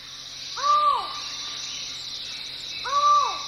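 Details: Collared forest falcon calling from deep within the jungle forest at Chan Chich, Belize. Two hollow, arched notes, each slurring up then down, come about two seconds apart over a steady high hum of insects.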